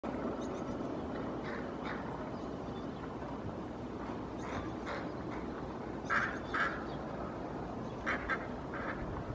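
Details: Hooded crows in Helsinki, Finland, on 8 May 2024 give harsh, hoarse caws, singly and in quick pairs, every second or two. They are trying to chase off a common raven behind a cliff that was pulling apart a pigeon carcass. A steady rushing hiss runs beneath.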